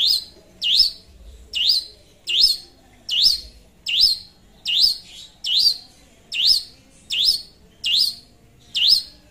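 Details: Long-tailed shrike giving a lure song to call a rival: a steady series of about twelve loud swooping upslurred notes, evenly paced under a second apart, with little background noise.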